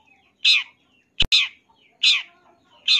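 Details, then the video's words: Harsh, rasping notes from a champion long-tailed shrike, given roughly twice per second with short gaps, one note preceded by a sharp click. "MASTERAN SUARA BURUNG CENDET FULL ISIAN CENDET JUARA"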